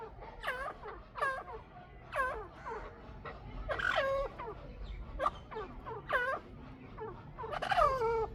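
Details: Two Chukar partridges give loud, irregular series of hoarse, arching chuk notes with rich overtones, some doubled, spaced about a second apart against steady low hum.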